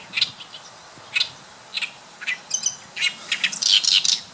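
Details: Oriental reed warbler song recorded in May 2012 at Sakurasō park, Saitama: loud, harsh, raspy syllables, first spaced about half a second apart, then crowding into a fast, grating chatter toward the end, over quiet background noise.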